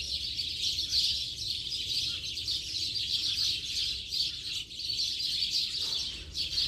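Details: A flock of house sparrows chirps nonstop in late afternoon, a dense, overlapping wash of bright, high cheeps with no pauses.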